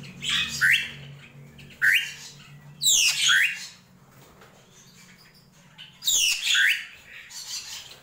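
A drongo gives harsh, squawky bursts with falling, buzzy sweeps, in short phrases every one to three seconds over a faint low hum.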